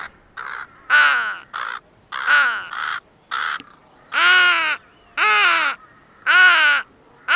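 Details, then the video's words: Crow cawing in a series of loud, harsh, nasal calls, about one per second, some short and some drawn out, with quiet gaps between them. "Звуки птиц ВОРОНА/ Как кричит и говорит ворона"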